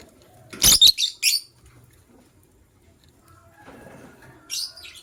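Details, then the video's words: White lovebird of a matched pair, heard in the morning: a quick run of three shrill, scratchy chirps, then a pause and one more harsh high chirp near the end over a quiet background. "White LoveBird Chirping Sounds"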